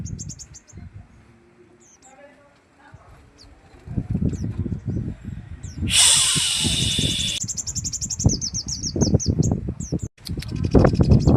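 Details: Sogon in full rough 'tembakan' repertoire: scattered high clipped notes and a low voice at first, then a loud harsh rasping burst and a quick series of high repeated trilled notes, with thuds throughout.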